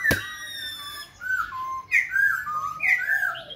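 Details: Continuous voice-switching song of a Khe Sanh laughingthrush as it dances, opening with a sharp click, then clear whistled notes that slide downward in steps before a rising, ringing final phrase.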